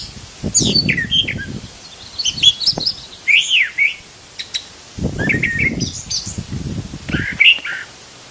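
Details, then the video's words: Brown thrasher singing varied phrases of rich whistles, chirps and slurred notes in short bursts, with brief pauses between, over low background rumble. "Brown Thrasher, Burung Dengan 1200 Jenis Lagu"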